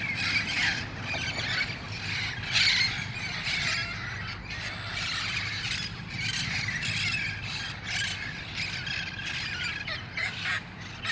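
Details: Wild red-faced parrots gathering at dusk in El Cajon on August 1, 2018, before heading to nearby roost trees; a flock gives harsh, overlapping squawks and screeches almost without pause, over a steady low hum.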